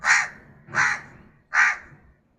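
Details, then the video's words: A crow gives three harsh, hoarse caws, each about a third of a second long, spaced roughly every 0.7 seconds, with faint low background rumble. "Crow sound"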